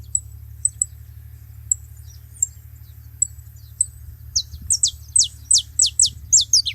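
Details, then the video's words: Saffron finches gathered together at a feeding spot, making noise: a few sharp high ticks, then a rapid run of about a dozen bright, steeply downslurred chirps, each sweeping from very high to mid pitch, over a steady low hum. "Canário da terra junto fazendo barulho na seva"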